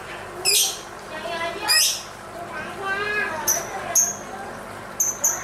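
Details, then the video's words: Lovebird singing while dancing: loud sharp high-pitched chirps and squeaks in bursts, mixed with softer warbling chatter and stacked ringing notes, several brief piercing calls near the end. "Suara indah burung lovebird sambil menari nari"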